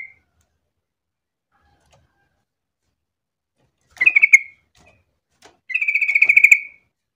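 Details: Sooty-headed bulbul calling so other bulbuls will answer: long quiet stretch, then a short warbled phrase and a longer rippling, trilled phrase of rapid notes.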